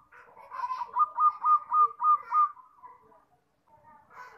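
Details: Zebra dove (perkutut), a young bird in training, with a fast string of six or seven rhythmic coo notes, about three per second, bright and even, then a soft trailing note and quiet.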